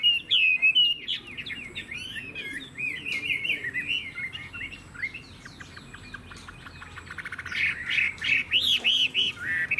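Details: Chinese hwamei in a cage singing long, fast sequences of varied whistled notes, quick trills and jumps in pitch, pausing briefly before a final loud burst of looping phrases.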